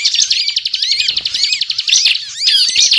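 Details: Bar-winged prinia (ciblek) giving energetic 'gacor ngebren' song, played as a trapping lure: a fast machine-gun trill of high notes with dipping, curved whistles roughly every half second, loud and continuous.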